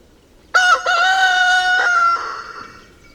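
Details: A rooster standing on a fence near a northern wheatear nest in Ryazan region, Russia, in June 2023 gives a single loud crow of about 2.5 seconds: two short clipped notes, then a long, held, slightly falling tail. Its crowing disturbed the wheatears' feeding.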